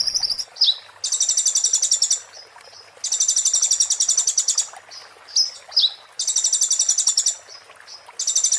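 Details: Konin, or olive-backed sunbird, delivering its 'muntah beling' master song for training magpie-robins and shamas: repeated bursts of fast, piercing, glassy trills, each a second or more, alternating with thin downslurred chirps and brief pauses.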